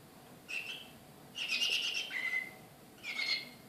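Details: Srpski slavujar canary from Belgrade, 2014, excited: a short chirp, then a bright buzzy burst sliding into a long steady whistled note, and a final chirped phrase, over faint background hiss.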